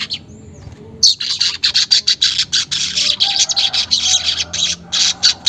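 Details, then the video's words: Weaver singing, unedited, meant to coax caged birds into full song: a quiet first second, then a rapid run of pulsed, high, rasping chatter bursts repeated several times a second until the end. "pancingan manyar bahan agar cepat gacor"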